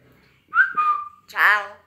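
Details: Talking pet common hill myna, outdoors at the house, gives a short level whistle followed immediately by a harsh, nasal, rasping note.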